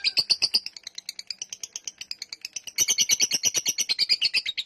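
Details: A lovebird's drawn-out ngekek, a rapid rattling chatter of high, harsh chips that softens for a moment, then returns louder and denser for the final seconds.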